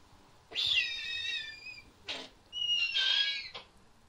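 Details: A Snowy owl nesting in a captive breeding aviary gives two high, thin squealing calls about two seconds apart, each nearly a second long and slightly falling, with short harsh hissing bursts between them.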